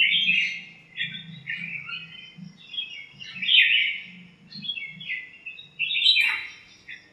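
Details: Flock of birds chattering in a backyard lemon tree on a sunny morning, fighting and chirping; busy overlapping high twitters and chirps, with a soft low hum running throughout.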